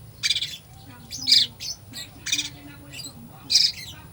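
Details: Oriental magpie-robin with a full fill-in song, played to stir a sluggish bird into singing. Loud raspy high squawks come in separate bursts about every second, with faint thin notes between them over a low background hum.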